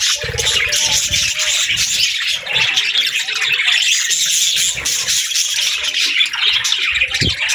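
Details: Cheerful pet budgies chattering, busy high warbling and short squeaky chirps blending into a steady chorus, with a few low knocks in the background.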